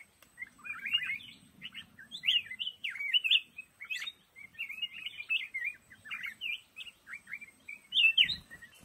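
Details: Black-crested bulbul in lồ ô bamboo thicket giving a continuous run of short warbled, looping whistled notes, phrases repeated roughly every half second.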